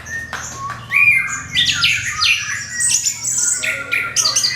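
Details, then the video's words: An orange-headed thrush pours out a crystal-toned lure song to make other birds sing: dense, fast, scratchy high phrases with slurred whistles stacked over one another, backed by a low droning hum. "SUARA MENGKRISTAL ANIS KEMBANG PANCINGAN TIADA LAWAN"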